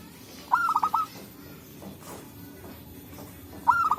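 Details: Local zebra dove in forest, recorded as a trapping lure; a bubbling, stuttering coo phrase of several short pulses, then another beginning about three seconds later, with faint background noise.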